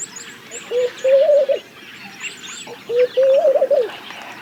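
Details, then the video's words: Laughing dove repeating its low, bubbly coo-coo-coo-ru phrase twice, each a brief opening note then a quavering run of coos; thin high twitters from other small birds above. "Laughing Dove - Calls"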